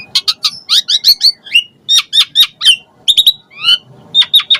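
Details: Asian pied starling singing a fast, varied song meant to stir other starlings. Dense bursts of sharp chirps and twittering notes come in quick groups with brief pauses.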